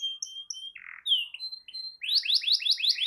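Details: Canary song for prompting a silent canary: a few short thin whistles and slurred notes, then a burst of rapid, repeated swooping buzzy notes, about six in one second.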